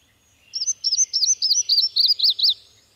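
A Yellow-throated Warbler sings a quick run of about eight sweet, slurred whistles that step down in pitch and lift slightly at the end, over quiet background.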